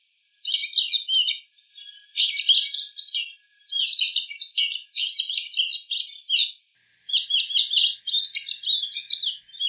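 Bull-headed shrike giving a long, rambling run of quick chirps, twitters and scratchy notes borrowed from other birds' calls, almost without pause.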